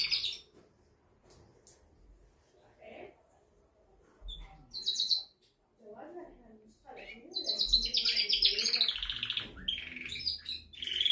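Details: Canary male singing to excite a female for mating: scattered short high trills with long quiet gaps, low voice-like sounds in the middle, then a sustained loud, fast warbling trill for the last four seconds.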